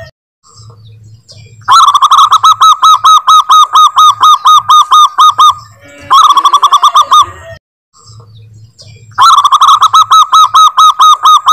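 A zebra dove gives three long bursts of quick, clipped cooing notes, several per second, with brief quiet pauses and faint low hum between.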